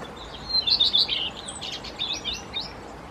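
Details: Common redstart singing to defend its territory with a nest while feeding young with insects, May–June 2018; a short burst of high, quick, scratchy twittering notes, then fainter trailing chirps over a steady background hiss.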